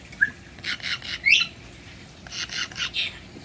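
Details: A pet Cape parrot, one of a household flock, perched on a shoulder, gives harsh, broad squawks in short bursts, a few per second, with one brief higher chirp between them.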